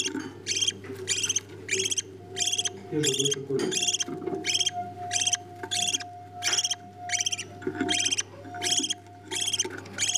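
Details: Parent budgerigars feeding chicks while the young beg with rhythmic, hoarse rasping calls, roughly ninety a minute and evenly spaced, over a faint low hum and a brief low rustle.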